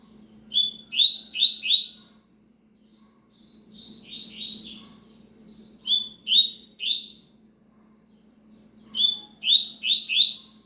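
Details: Repeated cigano phrases from a Double-collared seedeater: four bursts of fast, ringing downslurred whistles spread over ten seconds, short silences between, over a faint steady low hum.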